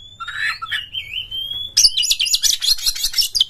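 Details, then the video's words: Oriental magpie-robin in loud full song with spread tail, used to provoke other birds to sing: a warbled whistled phrase and long thin steady note, then a dense burst of fast high trills. "SEKETIKA KACER GACOR BONGKAR MATERI PANJANG dengar pancingan suara burung KACER NGEPLONG BUKA EKOR"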